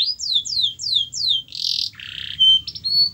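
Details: Canary song played to trigger singing in a reluctant canary: five clear descending whistled slurs, then a harsh buzzy note, a lower rasp and brief thin whistles.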